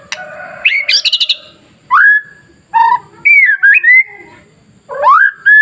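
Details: White-rumped shama masteran song to provoke rival shamas: a buzzy, rattling trill opens the phrase. Separate rising whistles follow, then a run of looping, warbled notes, and finally a long upslurred whistle.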